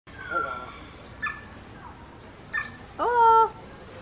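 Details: Common raven imitating human speech, saying "hola": a few scattered harsh croaking notes followed by a louder, drawn-out voiced call near the end, over a steady background hiss.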